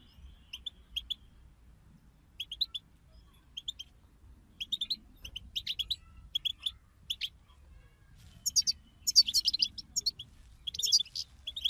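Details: European goldfinch chorus for prompting a goldfinch to sing; at first sparse pairs of high chirps every second or so, then building into dense, overlapping high twittering toward the end.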